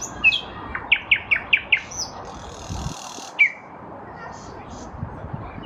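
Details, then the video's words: In a lilac bush in spring 2023, a nightingale delivers a run of five loud, evenly spaced whistled notes, then a brief buzzy rasp and a single sharp whistle, over low background rumble. "Nightingale in a lilac bush"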